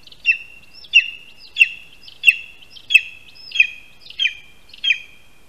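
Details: Lesser spotted eagle at a spruce nest in Latvia, 22 August 2021, 1:38 PM, as the first prey, a rat, is handed over in the tree; high sharp yelping notes with a downward tail, repeated about every 0.65 seconds, eight times, on a clean background.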